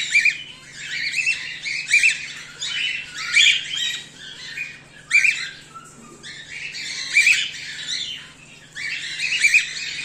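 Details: Home-bred cockatiels, including whiteface emerald and emerald birds and an exhibition grey male, giving harsh, buzzy squawks in short bursts about every one to two seconds, with a steady low hum underneath.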